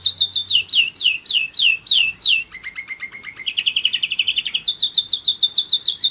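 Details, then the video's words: One-year-old German Roller-split canary singing: a run of slurred, downward-sweeping notes about five per second, then a low rapid trill, a buzzy rolling tour, and another series of clear downslurred notes. "german roller-split canary"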